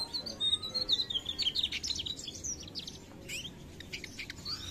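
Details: Mugimaki flycatcher singing in full voice: a rapid run of thin high twittering notes and short sweeping whistles, uneven in rhythm, with a hum of background noise.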